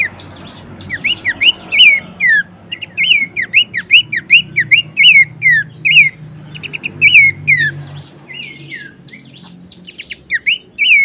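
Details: Horsfield's babbler in a bird-training recording: fast, continuous chains of looping whistled notes, roughly two or three each second, overlaid by sharp high ticks and chirps. A steady low rumble sits beneath.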